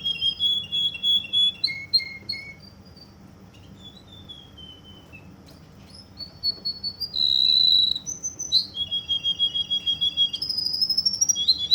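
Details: Russian canary in Kuwait singing high whistled notes and short trills, a quiet pause midway, then loud rolling phrases ending in a rapid pulsed trill.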